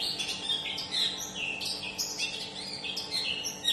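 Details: Long-tailed shrike song meant to draw a quiet or stressed shrike into singing; a continuous jumble of varied chirps, whistles and scratchy notes, busy and unbroken, over a steady electrical hum.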